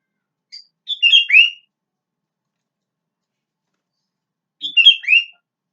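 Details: Sooty-headed bulbul, natural voice: two short phrases of bubbly whistled notes ending in a rising slur, separated by about three seconds of silence.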